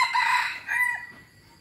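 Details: Crow of an F1 hybrid junglefowl cock with a wild-sounding voice: the clip opens mid-crow with a strained, raspy phrase, followed by a short clipped ending note, then quiet.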